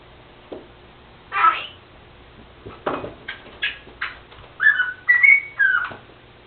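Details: Talking pet Senegal parrot indoors that also mimics sneezing. A run of rapid, chattering, speech-like syllables leads into several bright whistles that rise and fall in quick succession.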